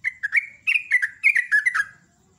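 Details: Loud lively morning song of a sooty-headed bulbul: a fast bubbling sequence of slurred fluty whistles, about ten notes in two seconds, gently falling in pitch toward the end.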